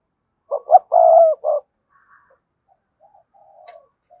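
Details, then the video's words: Cườm sa spotted dove calling thúc gù style: a single emphatic phrase opens, two short notes, a long even coo and a clipped end note, followed by sparse faint soft coos. "cu gáy thúc gù CƯỜM SA, cu gay kich boi nhanh noi gù"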